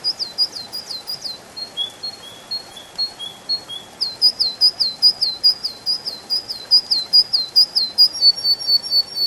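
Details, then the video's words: In a spring forest, a canary sings loud, high trills. Rapid looping chirps give way to slower descending whistled notes, then a long run of quick, rhythmic repeated syllables. "Пение канарейки, канарейка поет в весеннем лесу"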